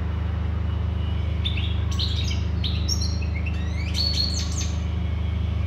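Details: European goldfinch singing clear, separated bursts of sharp, slurred whistles and twitters, gathering into a faster jingling phrase near the end, backed by a low continuous hum.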